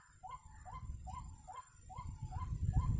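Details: White-breasted waterhen recorded during bird trapping: a series of short hooked notes, each rising then dropping, repeated about every 0.4 seconds with low rumbling background noise that grows louder toward the end.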